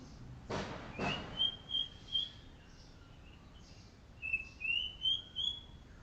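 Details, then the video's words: Morning-sunned white-rumped shama of the golden shama kind whistles sweet high notes in two bursts, each a few bright, slightly rising whistles, after a couple of soft thumps, in a quiet setting. "Murai Batu Golden Shama | Kicau merdu saat dijemur"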